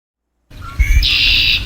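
Red-winged Blackbird: a few short clear notes, then a long buzzy, rattling trill, the familiar conk-la-ree, over a low rumble.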